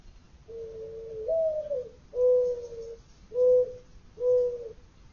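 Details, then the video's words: Dove cooing from a balcony: four low, soft coos, the first long with a slight lift, then three shorter even notes about a second apart, over a faint low rumble. "Dove calling"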